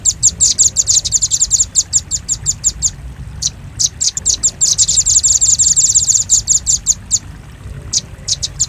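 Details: Velvet-fronted nuthatch lure recording for catching birds' attention: shrill rapid chips in quick series, thickening into a dense chattering run, then trailing into scattered single notes. Low hum in the background.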